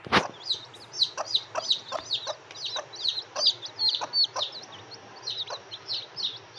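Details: Grey francolin chicks hatching beside their hen in the breeding season, eggs in chaff: a busy run of high, slurred peeps overlapping almost continuously, with brief low clucks, a sharp knock at the start and a constant hum.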